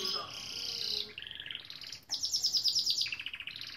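A Gloster canary sings a bright, high song of fast rolling trills and rattles, switching between phrases every second or so.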